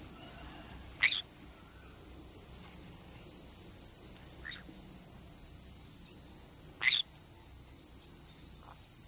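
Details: Scattered harsh calls from a green-cheeked conure playing alone in the forest, one loud squawk early and another near the end, with softer notes between, all over a steady high whine.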